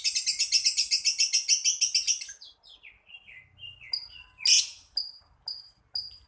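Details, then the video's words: Lovebird described as a champion bird from Jakarta, giving a long trilling song: a fast, high, even chatter of about two seconds, then sliding chirps and sharp repeated high notes. "Suara Burung love bird ngekek panjang bagus juara"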